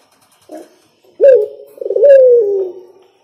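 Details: Spotted dove singing: a short soft coo, then a low, resonant, slightly rising-and-falling cooing phrase, hooting and even in pitch, with a quiet background.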